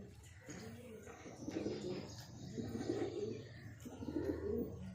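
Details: A breeding pair of pigeons gives deep, throaty cooing. Rolling, burbling coos are repeated about once a second over a faint background hum.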